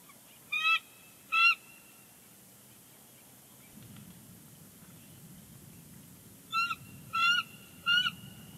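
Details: Bald eagle at a Big Bear Lake nest on 25 January 2020, calling as its mate returns to take over incubating the eggs: two bursts of high, clipped chittering notes, a pause, then three more bursts over faint low rumble.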